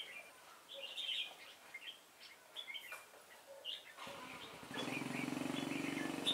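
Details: Red-whiskered bulbul singing during trap-fighting, 26 September 2017: short bright warbled phrases in bursts, then from about four seconds a steady buzzing mechanical hum with fainter chirps above it.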